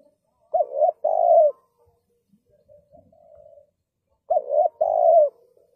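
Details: A spotted dove used as a lure for trapping coos deeply and softly. A short coo is followed by a longer, throaty coo, with quiet muted coos in between. The phrase repeats after about four seconds in a silent setting.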